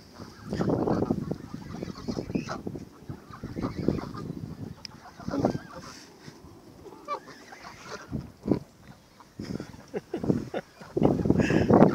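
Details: Canada geese gathered for feeding at Thames Eyot honk in noisy bursts separated by quieter pauses, with harsh, nasal notes repeated several times a second.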